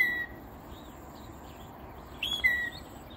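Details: Early-morning northern mockingbird singing from cover in a peacock flower bush roughly ten feet away, south coastal Texas: a short level whistle, a quiet gap, then a quick high note followed by a falling whistled slide; faint birds behind.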